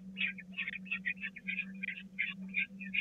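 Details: Peregrine falcon nestlings at the Catharinakerk, 16 April 2019, beg as food arrives while the smallest chick misses out. Continuous hoarse, grating squeals from several birds, about two to three per second, run over a persistent mains hum.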